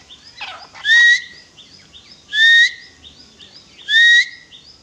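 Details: Grey francolin calling in a series of three loud whistled notes about every 1.6 seconds. Each note is steady and upslurred at the end, over faint background chatter and rustling.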